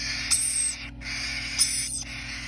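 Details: Captive-bred cockatiel chicks making two drawn-out, breathy, rasping hisses, each starting with a sharp squeaky onset, over a faint constant hum.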